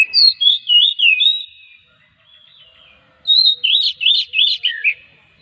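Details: Oriental magpie-robin song, played to coax other magpie-robins into singing; two bursts of rich, looping whistled phrases, each of about five quick notes sweeping up and down, separated by a short near-silent pause.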